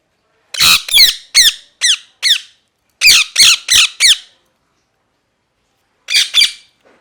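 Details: Angry, screaming parrot giving harsh, buzzy squawks in two bursts: five rapid calls, then four more after a short pause, and a final pair about two seconds later. Each call is a loud, ringing, downward-bending screech in a quiet room.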